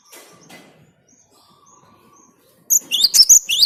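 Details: Cinereous tit lure song: after near silence with faint scattered tones, a short loud burst of sharp, rising whistled notes starts and repeats quickly to the end.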